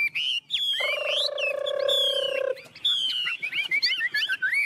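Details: Tame Chinese hwamei singing while perched on a hand in the 'ôm cống' style: bright whistled slurs near the start and end, with a steady low buzzing tone running through the middle.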